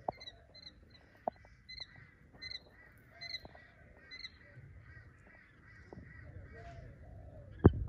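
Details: Two-week-old quail chicks playing in Australia give soft, slightly nasal peeping notes, about one every half-second, over occasional light knocks and taps.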